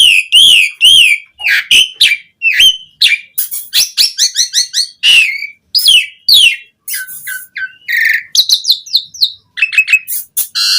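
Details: Asian pied starling song used as a lure to get other starlings singing, with rich varied phrasing: a fast, loud jumble of whistled upslurs, chevron-shaped notes and harsh chattering bursts in quick succession.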